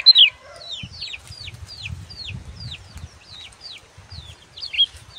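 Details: Sunbird (kecial) singing in 'gacor' style for tutoring young birds: a sharp opening note, then a string of high, down-slurred whistles about three per second, with faint low thumping underneath.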